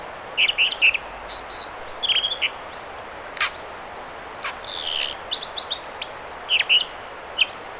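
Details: At river spawning channels near Squamish, B.C., an American dipper gives bursts of loud buzzy, rasping notes and clear piping whistles in short, spaced phrases, set against a hiss of flowing water.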